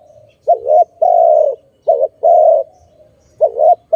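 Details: Dove cooing in connection with trapping: two clear pairs of a short wobbly coo and a longer even coo, with the start of a third.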